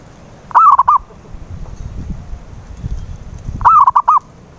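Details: Zebra dove calls as a lure to start a silent dove singing: two rolling four-note coo phrases three seconds apart, with soft low-pitched noise between them.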